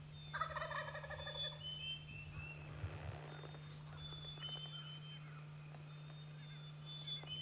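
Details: A wild turkey lets out one loud, rattling gobble early on an April spring morning in the woods during hunting season. High, thin songbird whistles follow, over a steady low hum.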